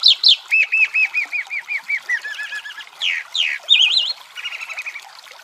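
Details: Chalk-browed mockingbird singing a long, varied phrase: rapid series of repeated arched notes near the middle pitch, then loud sweeping slurs and a warbled whistle, with shorter buzzy note runs at the end; quiet background.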